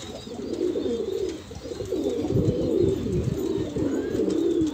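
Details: Several Kalsera Banarasi pigeons at an Allahabad pigeon market, India, cooing continuously in low, throaty, rapidly pulsing phrases that blend together, with little other noise.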